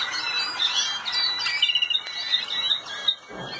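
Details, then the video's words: Malinois canary at the 2019 world championship in the Netherlands, a singing competition; dense, bright warbling phrases with quick chirps and squeaky notes, running almost continuously before dropping off near the end. "كناري المالينوا في بطولة العالم هولندا 2019"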